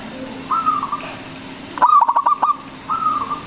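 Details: Big-voiced local zebra dove used to lure and excite other doves: one burst of rapid cooing notes framed by softer, longer sliding coos before and after.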